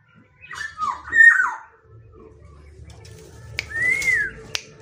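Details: Black-naped oriole giving mellow, fluted whistles that dip and rise in a brief phrase, followed after a pause by one smooth slurred whistle that arches up then falls, with sharp clicks on either side.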